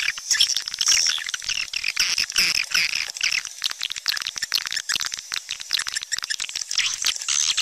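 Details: A swiftlet chorus of busy high chirps and squeaky twitters, packed with rapid dry clicks running steadily through the whole stretch.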